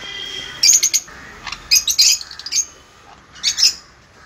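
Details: Pair of 10-month-old sun conures calling in rapid, grating high screeches, clustered in three quick groups of stuttering notes with brief gaps, loud and dominant over a low hiss.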